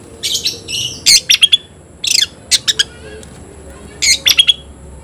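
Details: Oriental magpie-robin in full, lively song while competing against a rival: bursts of loud, harsh, buzzy notes mixed with sharp high whistles, coming in short clusters about every second, with a faint steady hum behind.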